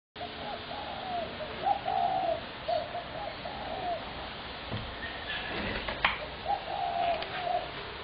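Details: Spotted dove calling on 21 January 2017, a loud racket of soft, mellow cooing phrases, each a short run of burry notes, sounding in two bouts with a quieter pause between; faint higher bird chirps behind.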